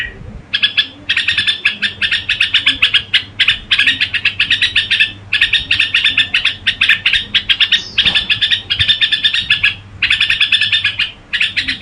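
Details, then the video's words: Red-whiskered bulbul in gù song, delivering long runs of fast, stuttering chirps that pour out almost without a break, with brief gaps every couple of seconds and a soft low background hum. "Tiếng Chim Chào Mào Gù Quá Hay"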